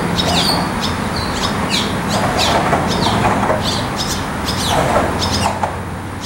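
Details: A nest full of Barn Swallow chicks waiting eagerly for food gives a rapid stream of thin, high begging chirps, several each second, over a steady low hum.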